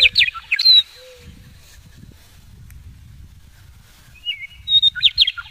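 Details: A male western meadowlark, staying low in sagebrush in the foothills north of Garden City on 9 April 2017, gives two bursts of bright, warbling, flutelike song, part of two song variations, with a faint low rumble behind.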